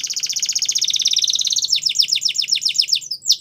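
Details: Belgian canary song used for training young canaries: a fast trill of rapid high repeated notes, then slower descending whistled sweeps in a rolling series.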